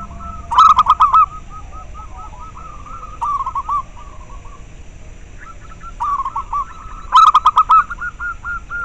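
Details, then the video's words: Local zebra dove, a sound used to stir breeding drive in caged doves and to lure them. Bursts of rapid, clipped, hooked cooing notes in quick runs, with quieter answering coos between and some sharp clicking at the loud bursts. "Perkutut lokal suara ampuh untuk merangsang terapi masteran dan ahli pikat"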